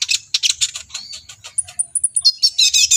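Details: Agitated brown-throated sunbird (kolibri ninja) in full, energetic song while displaying: fast series of sharp high chirps, then a run of thin, very high whistled notes, ending in dense twittering.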